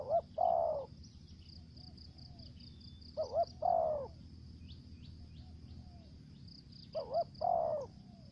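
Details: Spotted dove used as a lure bird, singing thổ dế, kèm dập and mai rừng voice styles. Three spaced phrases, each a short two-note coo then a fuller descending coo, with a steady high insect buzz and faint chirps.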